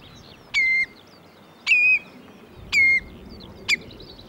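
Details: Common redshank calling in Sweden. Four clear, drawn-out whistled notes, each falling slightly then levelling, roughly one per second, the last one shorter, over a quiet background.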